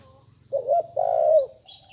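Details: Spotted dove that has only recently begun calling utters a short wavering coo then a sustained rough coo, followed by thin high whistles from another bird.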